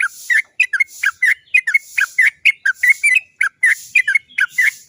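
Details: Lure recording of a yellow-vented bulbul (trucuk) meant to make other trucuk birds sing: a continuous, lively series of clear chirps and slurred whistled notes, several a second, over a faint background hiss.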